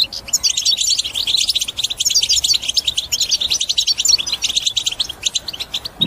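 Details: European goldfinch song used to encourage other caged birds to sing: a dense, fast run of tinkling, twittering notes, high and bright, with buzzy trills woven through, continuing almost without pause across six seconds.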